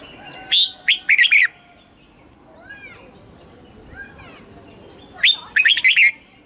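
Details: Thai red-whiskered bulbul song in the southern style, used to excite caged birds and train young birds: a lively phrase of five quick chirpy notes, a long pause with faint rising whistles, then the phrase repeated.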